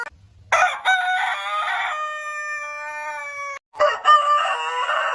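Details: Domestic rooster crowing: a loud, raspy crow stretches into a long held tail, then a short pause comes before another harsh crow starts.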